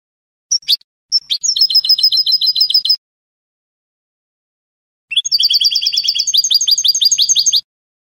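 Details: Spanish salon-style goldfinch song, canto al eco without endings: a few sharp introductory notes lead into a fast ringing trill of high twittering pairs, a two-second pause, then a longer, rising trill. No background sounds.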